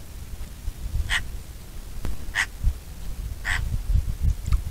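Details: Bonelli's eagle with three evenly spaced, short, harsh calls about a second apart, over soft low wind noise.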